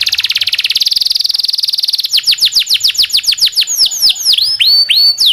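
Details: Canary singing long rolls and chirps as a master recording for tutoring young canaries: a fast buzzy trill for two seconds, then a rapid series of high descending whistled sweeps, slowing into separate looping notes.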